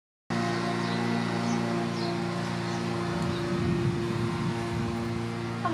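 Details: A steady, low mechanical drone like an idling engine fills the whole recording, with no clear animal voice above it.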